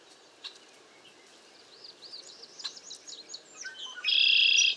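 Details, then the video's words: Cowbird recorded in bad weather and strong wind: a run of quick gurgling, chirpy notes builds over several seconds, then ends in a loud, steady, high thin tone held for nearly a second. "Cowbirds #bad weather #strong wind"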